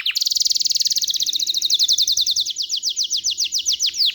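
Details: Fast canary trill of sharp descending notes that slowly spread apart, about nine per second at first and gradually slowing, loud and clear.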